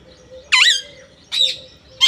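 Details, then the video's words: Loud, grating parrot squawks: a long screech that dips then rises, a second shorter rasp, and the start of a third, with a faint steady low tone beneath. "Raw parrot"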